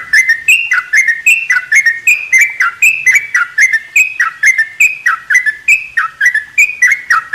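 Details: Sooty-headed bulbul in a mini aviary, morning: steady repeated two-part whistled notes, each rising then dropping, delivered about three per second throughout, with soft high clicks between them.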